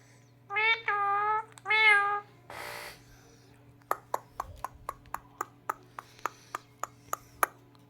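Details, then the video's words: Pet Indian ringneck parakeet talking indoors after taking over a computer: two harsh, harmonic, speech-like phrases, a brief noisy burst, then a run of sharp regular clicks like keyboard taps. "Cute talking mithu ny mery computer per qabza kr lya 😂 | Ringneck talking parrot"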